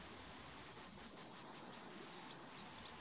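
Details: Yellowhammer singing in May 2020: a fast series of about a dozen high, thin, clipped notes that grows louder, then ends in one long, drawn-out high note, with faint background hiss.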